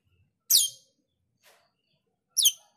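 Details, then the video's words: Active male cucak keling building its song: two loud high descending whistled notes two seconds apart, with a faint soft note between them in a quiet setting. "Cucak keling jantan gacor menyusun lagu"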